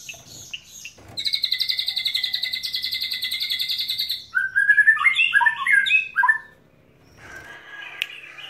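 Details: White-rumped shama of the Medan type, North Bali line, singing a long cililin trill, a steady rapid rattle lasting about three seconds, then rich slurred whistles rising and falling before the song fades into quiet background sounds.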